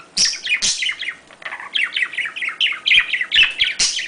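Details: Budgerigar mating warble, played to prompt breeding: steady stream of short chirps that fall in pitch, about two per second, with occasional loud harsh squawks.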